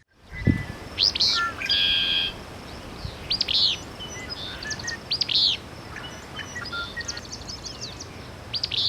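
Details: One of two Willow Flycatchers in willows at Salt Lake, on the Minnesota–South Dakota border, gives short, sharp upslurred 'wit' calls at irregular intervals on a warming June morning, with other birds chirping and whistling behind.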